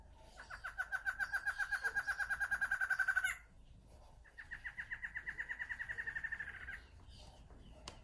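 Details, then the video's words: A male and female Barred Antshrike pair, close up, with a tail-shaking display, give two songs, each a fast, speeding-up rattle of nasal, hooting notes that rises slightly before ending abruptly. A faint click comes near the end. "Song Close up: Male & Female Barred Antshrike / Batará Barrado Hembra y Macho"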